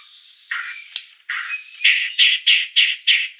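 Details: White-rumped shama giving a series of harsh, buzzy notes that grow louder and more regular, repeated roughly every third of a second toward the end.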